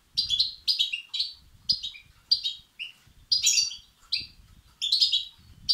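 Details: European goldfinch chicks calling for food, used to stimulate males. Short, high, chattering bursts repeat about every half second to second, some notes dipping lower, over a faint low background.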